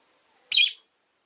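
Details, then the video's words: Rosy-faced lovebird, one of five pets in a cage by a window, gives a single shrill, harsh chirp of about a third of a second, dense and rasping in the high range, against an otherwise silent background. "Lovebird Chirping Sounds"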